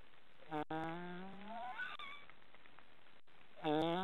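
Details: Three young black storks in their nest in an Estonian forest, snoring: nasal, harmonic calls that rise in pitch and drawn-out moans, then a louder rising call near the end, over a steady background hiss.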